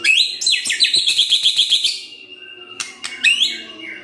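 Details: White-rumped shama lure song used to stir other birds: a fast, buzzy trill of repeated high notes, then a long thin whistle broken by sharp clicks.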